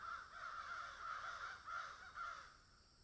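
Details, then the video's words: Several crows in a field calling in a dense, overlapping chorus of harsh, nasal caws that run together almost without a break. "crows caw in field"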